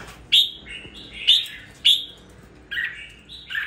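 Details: Captive red-whiskered bulbul, cared for two weeks and now singing with a little fire: three loud bright whistled notes about a second apart, each trailing into a lower slur, then two softer burry phrases.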